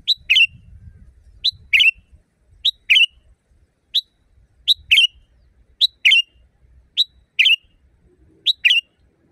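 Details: Loud wild sooty-headed bulbul used to train caged birds: a steady string of two-part phrases, crisp note plus gurgling chirp, about every second, some phrases reduced to a single note, over quiet background rumble.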